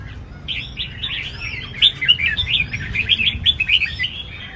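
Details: Red-whiskered bulbul performing its competition singing style at a big contest arena: a quiet start, then a fast run of chirpy, slurred whistled notes, about four a second, growing louder in the second half.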